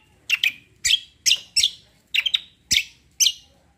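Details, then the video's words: Strong, clean tembak notes from a cucak kombo: eight loud, sharp, slightly buzzy high chirps spaced roughly every half second, with little else heard. "CUCAK KOMBO KECIAL KOMBO ROLL TEMBAK GACOR COR"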